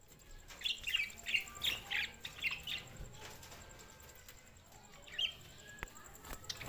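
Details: Budgerigars, June 7, 2024: a short run of about half a dozen bright, evenly spaced chirps early on, then near quiet with one more chirp later.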